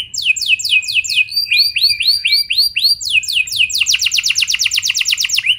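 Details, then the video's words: Canary song played as a lure so other canaries join in: series of quick downslurred whistles, rising arched notes, then a fast bright rolling trill of repeated sweeping notes. "Pancingan Ampuh Bikin Kenari Lain Bakal Ikut Gacor Do0r Dengan Pancingan Ini! Langsung Nyaut Ngeroll"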